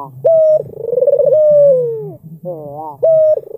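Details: An albino Barbary dove with a black collar coos to lure an opponent into calling back. Short level whistled notes give way to a long rolling coo that slides downward, then a wavering phrase, over a low steady hum.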